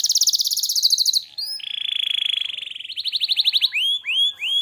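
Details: Lively, actively singing canary (gacor) delivering a fast buzzy trill, then a long steady rattling trill, followed by a quicker trill and three separate rising whistled notes.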